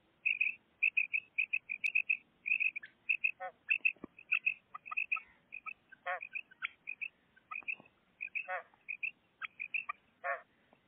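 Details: Pet female common quail singing: a rapid, steady series of short, high, chirping notes, many in pairs and triplets, with some lower buzzy notes and clicks mixed in.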